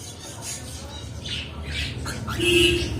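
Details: Pet cockatiels giving harsh, scratchy squawks in short bursts, with a longer grating call near the end over a steady low hum and faint voices.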